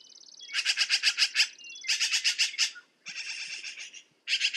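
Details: Four loud bursts of rattling, rasping chatter by a black-billed magpie, each a quick string of harsh notes, with a thin high whistle beneath the first.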